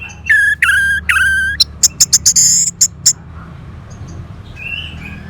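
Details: Orange-headed thrush song: loud clear whistles near one pitch with slurred starts, then a fast burst of sharp high notes and a sustained high whistle, followed by softer warbling.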